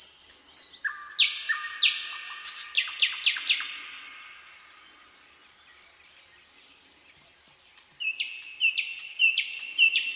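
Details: Common nightingale singing in a night-time forest: loud phrases of sharp whistles and rapid stacked notes, a pause of several seconds, then a new phrase of quick repeated high notes.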